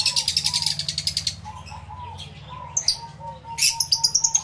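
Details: Aviary lovebirds, including yellow-collared birds, recorded live with two external microphones: a rapid run of shrill chirps fades into soft repeated whistles from other birds, then sharp squeaks and renewed quick chirping.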